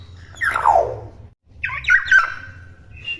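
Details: Young common hill myna, not yet moulted, giving harsh squawks: a rasping note sliding downward, then after a pause a burst of grating, buzzy calls and a short high note, over a low hum.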